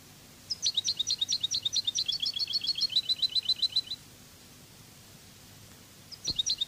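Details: European goldfinch giving the Cádiz-style Spanish song: a long, fast series of sharp, high repeated notes that starts slurred and settles into a steady trill for over three seconds, then a fresh phrase begins after a faint click.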